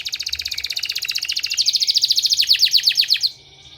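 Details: Canary song used as a therapy sound for training canaries: a fast, even trill of short high notes builds louder, then shifts to a run of quick downslurred notes before stopping abruptly.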